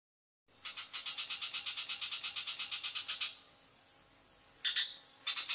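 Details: Long-tailed shrike in varied prompting song: a fast run of about twenty-five rhythmic, high, clicking-chirping notes, then a hush broken by a few sharp high notes.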